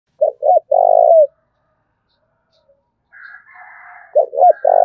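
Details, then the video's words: Spotted dove from Dong Nai, Vietnam, giving the thúc bổi style of cooing: two phrases, each two short low hoots followed by a long, steady, slightly falling coo, with faint higher chattering between them. "Cu Gáy Đồng Nai Đang Thúc Hay Nhất, tiếng cu gáy thúc bổi mới"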